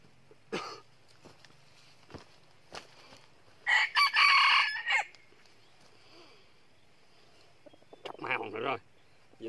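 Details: Wild red junglefowl rooster crowing loudly ahead of a fight with another rooster; one strong harsh crow in the middle, a rougher burst near the end, and scattered clicks and rustling between them.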